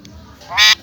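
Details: A single loud, raspy, speech-like syllable from a talking parrot saying its name, brief and buzzy, against a quiet room.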